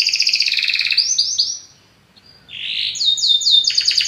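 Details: Belgian canary singing powerfully: a fast trill and descending whistled notes, a brief pause, a buzzy rising phrase, then quick high downslurred notes.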